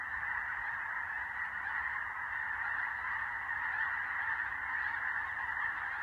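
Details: Massed snow geese, white and blue birds together, filmed on the ground and migrating at dusk: a dense, unbroken chorus of overlapping nasal honks and yelps that fills the air without pause.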